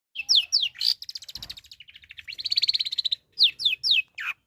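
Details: Long-tailed shrike singing for a clear tutor recording: sharp downslurred whistles, then a long rapid rattling trill that rises and holds steady, then another run of quick downslurred whistles.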